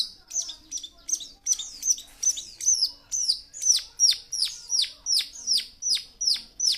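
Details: Young wild-caught long-tailed shrike, kept as a cage bird and said to have plenty of fill-in phrases and fighting spirit. It sings a quick run of sharp, falling chirps, about fifteen in a row, growing steadier and more evenly spaced as it goes.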